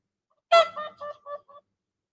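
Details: A whooper swan, a winter visitor to the UK perhaps from Iceland, gives one loud, trumpet-like honk, then three or four shorter nasal honks in quick succession, over about a second.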